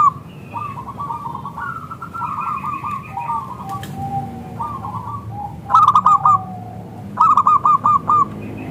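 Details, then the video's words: Zebra dove of local stock, sung as a lure to prompt replies; soft rambling trilled cooing first, then two loud crisp bursts of four to five quick notes each, with a low droning background. "Perkutut Lokal Gacor SUARA Kristal TEBAL Jitu AHLINYA UNTUK pancingan perkutut NYAUT"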